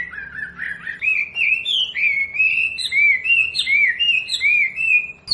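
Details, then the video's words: Wambi training recording for captive birds: a steadily climbing series of sweet, looping whistled notes, each curving up then down, repeated almost three times a second. "SUARA MASTERAN BURUNG WAMBI"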